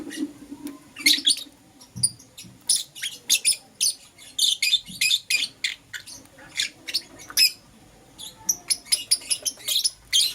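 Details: Two lovebirds, a green Personata and a yellow pastel pied, chirp busily in the morning: a nearly continuous chatter of harsh, high, scratchy notes in dense bursts, barely pausing.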